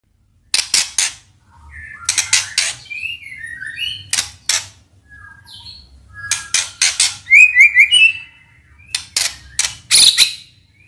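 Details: White-rumped shama lure song, meant to prompt silent shamas and those ignoring rivals into singing and to serve as tutor: sharp broadband clicking bursts alternating with short whistled slurs and a trilled phrase near the end.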